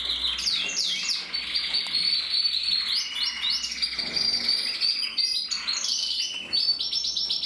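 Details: A red-mosaic isabel canary cock with a red mask, from 2024, sings nonstop: rapid rolling trills, bright whistled notes and quick downward-slurred phrases, steady and loud.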